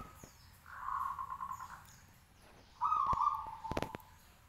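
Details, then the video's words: Local zebra dove, caged and raised aloft, singing persistently to provoke neighbouring doves into answering: two mellow, pulsing coo phrases, the second brighter, mixed with sharp knocks and clicks near the end. "Rekaman los perkutut lokal gacor manggung 10 menit bikin nyaut lainya"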